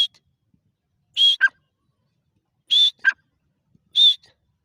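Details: Black francolin giving a loud two-part call roughly every one and a half seconds: a high, level whistled note followed at once by a lower, rasping burst, in otherwise quiet surroundings.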